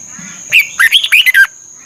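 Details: Red-whiskered bulbul from Thailand, recorded for training caged birds: a single short, rich phrase of five or six rapid whistled notes that rise and fall, set against a faint continuous high whine.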